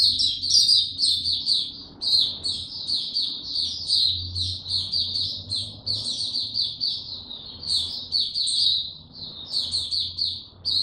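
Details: A mata puteh, the white-eye, in nonstop high song, a dense chatter of quick squeaky notes and twitters running for the full stretch, with a faint low hum underneath.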